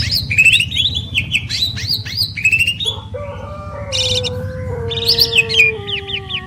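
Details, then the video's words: Pair of caged Asian pied starlings, champion birds, singing together: rhythmic run of whistled up-and-down slurs, then a long steady low whistle-like tone with buzzy bursts above, ending in rapid repeated sweet notes; low rumbling background noise. "Jalak Suren Istimewa | Duet 2 Burung Juara"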